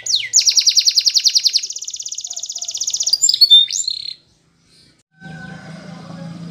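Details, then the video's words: Spanish Timbrado canary song for training canaries: a long, fast, regular trill lasting over three seconds, then slurred whistles, a brief silence, and low background hum. "The Best Canary Sound !! Training Canaries To Diligent In Singing"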